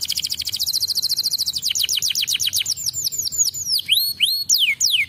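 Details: Canary song intended to prompt young canaries to sing: a rapid high trill flowing into fast descending slurs, then slower looping arched notes.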